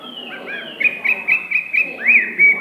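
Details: Tame one-season-old Hwamei singing a rapid-fire song: after a quiet, soft opening, bright whistled notes burst out in a quick, evenly spaced string of about five, then rising whistled slurs close the phrase.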